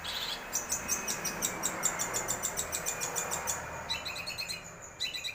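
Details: Long-tailed shrike song: fast, rattling high notes in an even pulse lasting several seconds, then after a short break further bursts of sharp chattering, with steady noise underneath.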